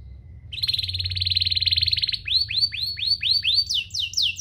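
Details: Domestic canary master song used to train young birds and coax canaries into singing: a long rapid pulsed roll, then repeated rising whistled slurs, closing with fast high notes.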